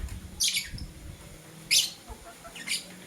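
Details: Three separate rasping high chirps from blue and green lovebirds in the morning, each roughly a second apart, over a low hum.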